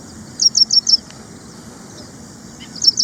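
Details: Ashy prinia from India: four high, clipped, down-slurred notes in quick succession, a pause, then two more at the end over low steady background noise.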